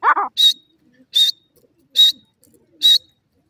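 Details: Young grey francolin chicks (bhuray teetar) give clipped, high-pitched peeps at an even pace of roughly one every 0.8 seconds, after one lower, wavering note at the start.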